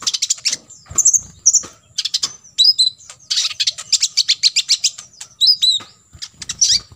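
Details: Olive-backed sunbird in 'full tembakan isian' song, used to tutor imitating birds: rapid clusters of high chips and buzzy pulses, interspersed with looping squeaky whistles and several short gaps.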